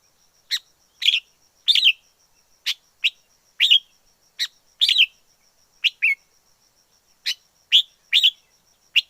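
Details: Wild forest red-whiskered bulbul singing: short, bright, slurred chirps and two-note phrases, given in irregular bursts about every half second to a second, over a quiet background with a faint steady high whine.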